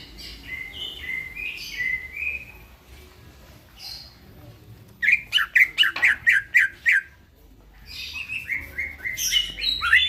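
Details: Greater green leafbird singing in the middle of the night, a lively master recording for training birds: scattered whistled phrases near the start, then a fast run of about nine sharp, repeated chipping notes, followed by varied warbling.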